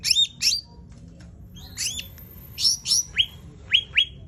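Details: Sumatran laughingthrush giving tembakan bursts in lively gacor song: short clusters of shrill, steeply falling whistled notes, often in pairs, separated by brief pauses, over a faint low rumble.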